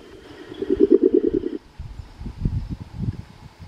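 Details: A tawny-browed owl (Pulsatrix koeniswaldiana), endemic to the Atlantic Forest, at São Miguel Arcanjo, São Paulo, gives a quick run of about eight low, pulsing hoots in one second, then low rumbling background noise.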